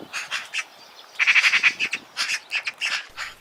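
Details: Eurasian magpie calling in loud, uneven, harsh chacks and squawky rattles, bunched into irregular rapid bursts with brief gaps.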